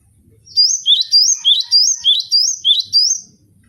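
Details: Caged cinereous tit, gelatik batu, delivering a rapid series of about eight sharp two-note whistled phrases, evenly spaced, over faint low background noise.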